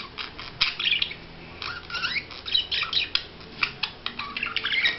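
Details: Budgerigar during courtship display: a busy, chattering warble of squeaks, clicks and short whistled slurs, irregular and continuous, apparently indoors.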